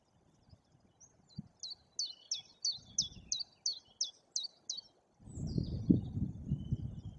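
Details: White-tailed eagle at a nest in Bory Tucholskie, Poland, during breeding season as a chick hatches, giving a run of about ten high, yelping notes, roughly three per second, over low rumble, followed by a burst of wind or handling noise.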